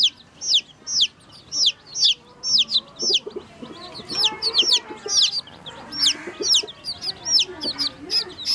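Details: Baby chicks at a water dish: steady high downward-sliding peeps about twice a second from several birds, with softer lower chirps and murmurs underneath.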